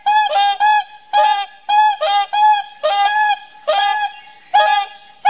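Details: Whooper swans in a pair-bond display give a steady series of brassy, trumpet-like honks, often in doubled notes, repeated more than once per second with almost no pause.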